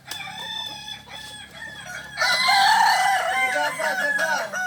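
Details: Kokok Balenggek rooster crowing at a joint training event in Ampang Kualo, Solok city; after two quieter seconds a loud crow enters with a run of stepped, wavering syllables, with fainter background crowing.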